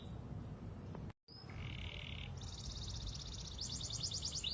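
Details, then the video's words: Pied canary lure song for young canaries: after a brief cut, a low buzzy trill gives way to a rapid high-pitched trill lasting several seconds, with steady low hum. "Kenari panda gacorr pancingan kenari paud"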